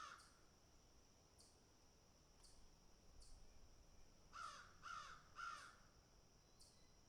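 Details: Crows picking and eating; three loud harsh caws in quick succession after faint earlier clicks and tapping sounds over low background noise.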